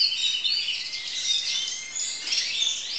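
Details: A 2012 recording of a crested canary student in song, pouring out high, bright twitters with a few thin sustained whistles woven through the steady warble.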